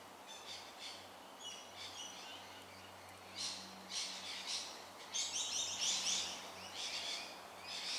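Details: A lorikeet made nervous by a nearby tiger snake in suburban Melbourne, Australia, on 13 October 2019 gives harsh, grating screeches in short bursts, growing louder and more frantic toward the end, over a low steady hum.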